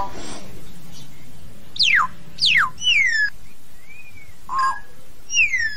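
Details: Common hill myna calling the flock: clear whistles sweeping steeply downward, a rising-then-falling slurred whistle, a short nasal note and a final descending whistle, set against low constant background rumble.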